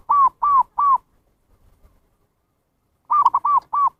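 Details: Lure call of a zebra dove for attracting wild birds: three steady arched coos, a pause of about two seconds, then a stuttered double note and two more rounded coos, with a clean, quiet background.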